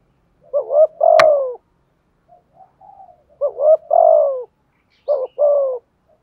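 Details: "Giọng thổ" decoy spotted dove giving "thúc gù" coos: three phrases, each of short stuttering notes and a long descending hoot, with quiet murmurs between. A single sharp click sounds early on.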